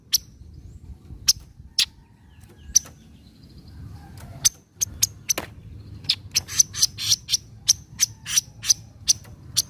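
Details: Javan kingfisher giving a 'nyecret' chattering call, used as a lure to make reluctant kingfishers call: sharp, dry, clicking chips, sparse at first, then quickening into a rapid run of harsh ticks over a low background rumble.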